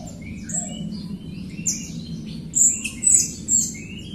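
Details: Jalak Rio myna singing to encourage reluctant Rio birds; scattered thin whistles and slurred notes at varied pitches, ending in several piercing high whistles.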